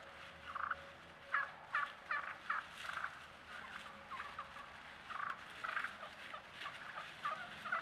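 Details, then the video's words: Wild turkeys on a trail camera give short, raspy yelps in quick irregular bursts, with softer rolling purrs and whining notes between them. "turkeys yelping, purring, whining"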